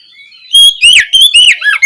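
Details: Afternoon ngeplong song of an Oriental magpie-robin, used to stimulate other birds to answer: a thin rising whistle leads into a few loud, slurred, warbling notes.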